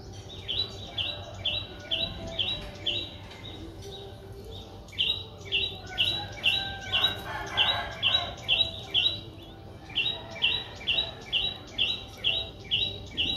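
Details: A 4-day-old Streak-eared Bulbul nestling, Ubon Ratchathani, Thailand, 6 April 2023, gives long runs of high, evenly spaced chirps, about two per second, with a short quieter stretch in between and steady low hum beneath.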